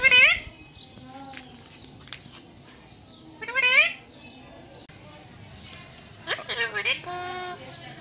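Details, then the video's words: Talking ringneck parrot, said to repeat phrases such as Aslam Alaikum, voicing a loud opening cry, then a rising speech-like phrase and a stuttered squawky burst later, with faint murmurs between. "This Cute Parrot's Talking Is so Amazing He Talk Mitthu Bete,Kon Aya,Aslam Alaikum And More Words"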